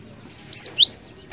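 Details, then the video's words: Cinereous tit song, played as a lure. Two short high whistles, a level note then a downslurred one, clear against quiet background. "Suara ASLI Glatik Batu Gacor Ngeeerool Ngeplong, 100% Ampuh Buat Pancingan"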